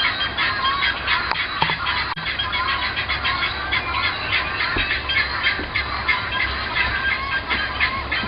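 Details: Noisy guineafowl across the road, heard from a porch and living room in February or March 2010: a steady, dense stream of loud rasping squawks in fast repeated pulses, with faint thumps beneath.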